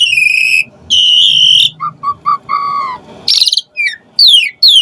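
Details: Asian pied starling singing a varied song used to excite other starlings into singing. Long pure whistles with harmonics, a row of short mid-pitched whistled notes, then a burst of buzzy noise and steep falling whistles.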